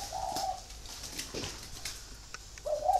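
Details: Free-range breeding spotted dove in Ba Vi, Hanoi, Vietnam, giving two short, mellow coo phrases at the start and end, separated by a quiet pause with faint background noise.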